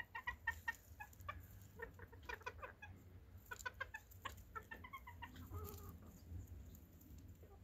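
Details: Chicken clucking in a quick series of short, harmonic-rich notes, several clustered bursts followed by brief pauses, fairly quiet against a steady low rumble.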